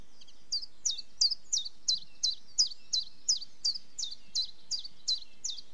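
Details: Long, steady run of roughly fifteen high, clipped chiffchaff notes, alternating slightly in pitch and each falling away, delivered about three per second.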